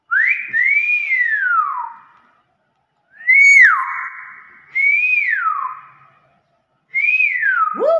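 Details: Common hill myna, kept as a talking bird, delivers four clear whistled slurs in quick succession, each rising then dropping, one holding a long steady tone.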